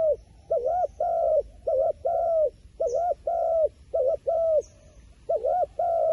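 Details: Wild pigeon repeating a rhythmic cooing phrase: paired notes, a short double-humped hoot then a longer level one, repeated about six times, with faint high chirps in the background.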